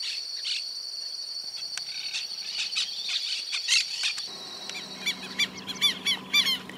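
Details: Greyish saltator (Saltator coerulescens) feeding at Esperanza, Santa Fe, Argentina, in 2022, giving sharp, high chirps that quicken into a run of short descending notes, over a steady high insect drone.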